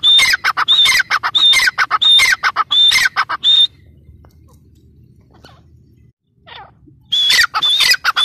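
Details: Grey francolin, locally called teetar, calling in a loud series of harsh bursts with a thin whistled note, about one and a half per second for nearly four seconds. After a quiet pause the series starts again.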